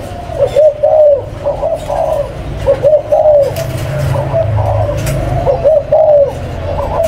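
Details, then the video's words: Captive spotted dove of a breeding pair delivering mellow, low coos in repeated two- and three-note phrases roughly every two seconds, over a faint low rumble and occasional clicks. "THẨM ÂM ĐÔI CHIM CU BỐ MẸ SỐ 11 VÀ 04"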